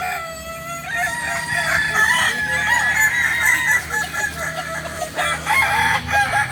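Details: Kukuak balenggek chickens in training at Ampang Kualo, Solok, crowing in long, layered calls from several birds, with a steady low hum running underneath.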